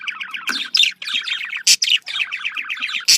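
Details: Budgerigar warbling in fast, even pulses like a bubbling trill, punctuated by three loud, sharp squawks.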